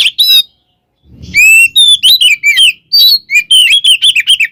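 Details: Caged Oriental magpie-robin giving provocation fighting song: a short whistled note, a brief silence with a soft low thump, then a quick string of looping whistles and harsh buzzy syllables.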